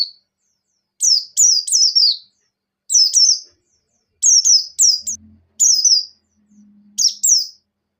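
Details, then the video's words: A buxtoni white-eye in breeding condition sings ngecir sambung ngalas: repeated groups of two to four steeply dropping, high whistled notes, spaced by brief pauses over several seconds. "Suara Burung Pleci Gacor | Pleci Ngecir Sambung Ngalas"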